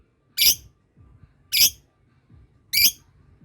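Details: Lovebird kept as a pet uttering three sharp, high squawking chirps spaced about a second apart, each short and harsh, in a quiet room.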